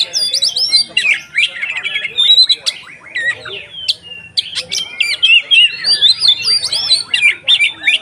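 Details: Kacer singing the 'konslet ngeplong' style used as a lure: loud, varied whistles, sharp upslurred and downslurred notes and quick trills that flow almost without a break.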